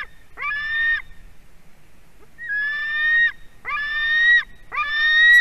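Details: Nestling white-tailed eagle at Durbe screaming as a parent brings fish, 4:50 pm on 31 August 2020: four long, hoarse screams, the last building loudest and rising in pitch.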